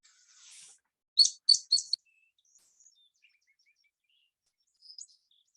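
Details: A Song Sparrow, a year-round resident that sings all through summer, opens its song with three loud, high, sharp notes in quick succession, followed by a few faint, thin notes.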